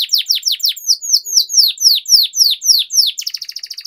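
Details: Singing canary from a training recording for young birds: a run of loud, clear downward-slurred whistles about four per second, ending in a fast, thin rolling trill.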